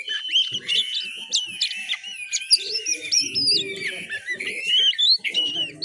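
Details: A juvenile oriental magpie-robin practises its song, ngiriwik style: continuous high twittering with sharp clicks, short whistles and quick rising slurs, plus faint low mumbling in the background.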